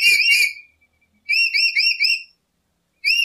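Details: Lory sound for a trapping lure: a few bright, slurred whistles, then a run of four quick rising whistled notes and one more note after a pause.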